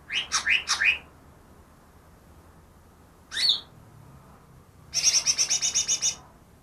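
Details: Greater green leafbird trapped two days earlier, claimed to imitate ten birds, opens with three quick downslurred whistles, adds one sharp isolated note, then ends with a fast chattering series of high repeated notes.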